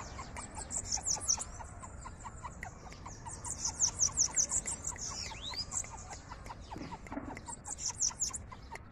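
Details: Bananaquit, from Rio Grande do Norte, Brazil, sings very high, thin, hurried phrases of buzzy, wheezy notes in repeated bursts, over a steady background hiss.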